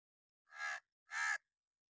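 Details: Crow giving an angry-mood caw, a sharp, loud alarm or warning call: two harsh, buzzy caws about half a second apart, each broad and rasping, in an otherwise quiet setting.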